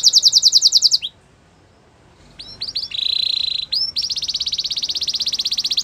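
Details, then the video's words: Singing Belgian canary: a rapid rattling trill, a short silent pause, a few rising chirps and a buzzy roll, then a long fast pulsing trill. "Belgian canary singing!!"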